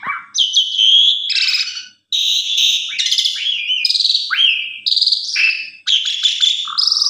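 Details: Asian pied starling giving a loud, varied song of shrill whistles, buzzy squeaks and chattering notes in rapid bursts; lure song meant to provoke other pied starlings into singing.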